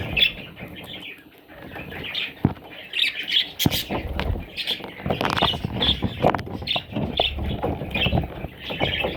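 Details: Parrot chicks giving high, thin chirping calls in rapid irregular bursts, with sharp clicks and low rustling handling noise between them.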